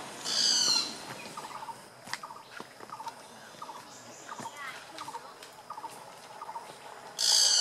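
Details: Great barbet calling at Phanoen Thung camp, Kaeng Krachan National Park, Phetchaburi, Thailand, on 6 April 2014. Soft paired notes repeat about twice a second through the middle, with loud harsh buzzy bursts at the start and end.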